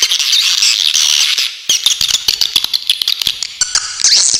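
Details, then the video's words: Swiftlet in very clear tutor material for songbirds: continuous high buzzy twitter at first, then quick irregular chips and clicks with a rising shrill note near the end. "suara masteran burung walet super jernih besetan joss"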